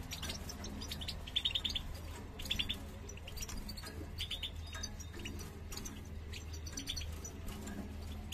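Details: Male European goldfinch courting a female, pressing her to build a nest; bursts of quick high chirps and twitters at intervals, with a constant low hum.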